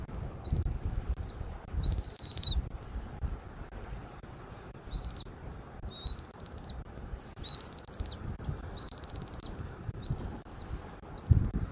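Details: Nest camera in Southwest Florida, 13 January 2024 at 14:17: a bald eagle gives a long series of high, thin whistles, each about half a second long with a wavering, slightly rising pitch, repeated about every second, over soft low background noise.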